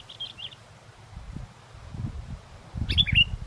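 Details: Kutilang, or sooty-headed bulbul, keeps singing through strong wind while used as a lure; a faint short twitter at the start, then one loud, clipped phrase of falling whistles as gusts rumble underneath.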